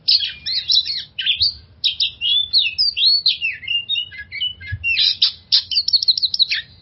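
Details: Oriental magpie-robin lure song aimed at calming stressed birds of its kind: fast continuous varied warbling, mixing trills, sweeping whistles and scratchy notes in quick succession.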